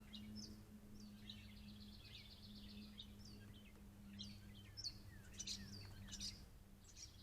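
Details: Catbirds at a deck trail camera on 12 May 2023, running around while calling: a busy run of short high chirps, slurred sweeping notes and quick twittering phrases at uneven intervals, all faint, over a steady low electrical hum.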